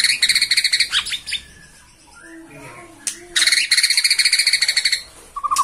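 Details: Bornean white-rumped shama, excited by a rival, delivering fast, high, rattling trills of about three notes per second, broken by a quiet gap, then a low whistle at the end.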